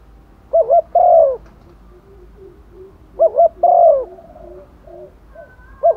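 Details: Female spotted dove decoy calling to males in the rainy season, two full low coo phrases, a clipped double note leading into a longer falling note, with softer distant coos between and another phrase beginning at the end.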